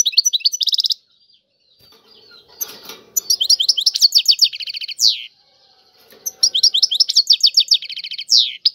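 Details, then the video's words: European goldfinch, described as Algerian-style song with styles named safi, touati, serfati, mandolin; rapid twittering bursts of chirps and downslurred notes, sung in phrases about a second long separated by short pauses, a faint low hum in the gap. "اعظم تغريد الحسون طيواواطي"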